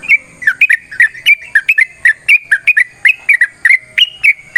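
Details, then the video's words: Yellow-vented bulbul's long fighting song, used to lure other birds into answering. Short, loud whistled notes with sharp upward and downward flicks repeat about every quarter second in an uneven, lively rhythm. "TRUCUKAN GACOR TARUNG ROPEL PANJANG"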